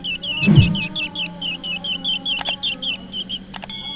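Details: Black drongo sound used as a trapping lure: quick repeated curling notes, high and ringing, with a low thump near the start and sharp clicks later.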